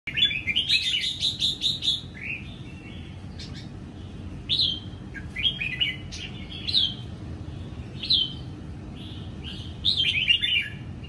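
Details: Caged red-whiskered bulbul from Sông Kon, a young bird just past its wild moult, singing in the morning while sunbathing; bright whistled phrases with quick rising and falling slurred notes, delivered in bursts separated by short pauses.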